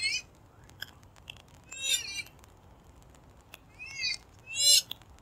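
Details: A purple swamphen used to lure birds for hunting gives scattered short nasal squeals and wavering wails, louder toward the end, over steady background hiss and faint clicks.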